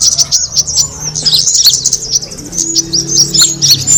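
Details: Kemade bird calling as a bird attractant: continuous high, squeaky chirps and short trills with a few sharp downward notes, over a faint low tone and hum.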